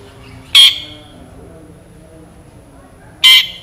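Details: Long-tailed shrike, a vigorous singer with rich fill notes, giving two loud, harsh, rasping screeches about two and a half seconds apart, with near silence between them.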